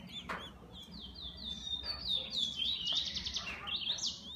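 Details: Kept bullfinch delivers a brisk, scratchy warble of thin sliding whistles and short buzzy trills, with a sharp click near the start and low background hum.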